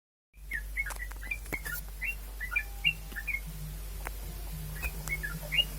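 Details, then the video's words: Yellow-vented bulbul singing prolifically. Short, bright chirped notes come in quick clusters over a steady low hum and background noise. "Kicau burung trucuk gacor"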